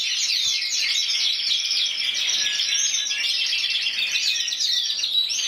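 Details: Prize-winning intense yellow canary, Spain 2014 champion with 94 points, giving a long unbroken song of high buzzy trills and chirps, with a faint low knock near the start.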